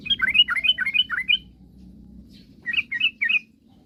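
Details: A sooty-headed bulbul gives a rapid burst of chirpy whistled notes, falls quiet, then adds three more, sung to provoke rivals into singing, over a low humming background.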